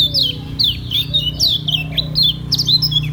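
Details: Caged lemon-bellied white-eye from Lombok singing in the ngejos selow style: a quick run of bright, sharply down-slurred chirps repeated in close succession, with a soft low wavering murmur beneath.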